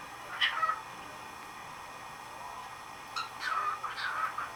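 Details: A male cockatiel, adopted less than a month earlier, has just begun male calling and does so at night: short, bright whistled notes that dip and waver, in a brief burst and then a second run.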